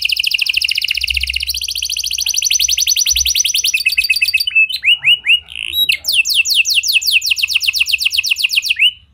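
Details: A canary with a unique song style, meant to lure silent canaries into singing. Fast high trills run for several seconds, then separate whistled notes. A long series of rising and falling sweeps closes with a short trill.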